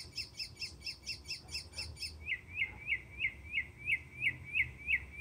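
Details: Mockingbird serenading with a high chirped note repeated rapidly about eight times, then switching to a different clear, sliding, whistled phrase repeated steadily about every third of a second; light background noise.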